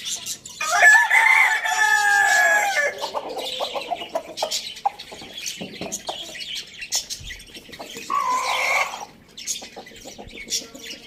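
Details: Rooster on a village farm where roosters are eating tomato; a long harmonic crow lasting about two seconds opens the clip, followed by scattered clucks and high chirps of small birds in the background.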